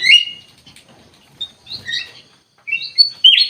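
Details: Black-capped bulbul singing in full 'gacor' form: a sharp whistled opening, scattered shorter notes, a brief silence, then a loud run of bright whistles and a rising final phrase.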